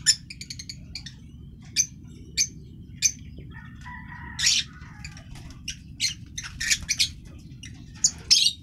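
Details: A green masked lovebird, one of the African lovebirds, delivering a rapid series of shrill chirps and squawks, denser toward the end, over a constant low rumble.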